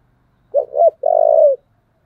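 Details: Spotted dove with a thổ-style voice giving one fighting call phrase: two short rising coos then a long, level, slightly rough coo, faint low hum beneath.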